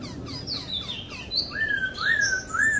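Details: Short high whistles fall at the start, then a laughingthrush in the wild sings a series of clear, rising whistled phrases that grow louder toward the end.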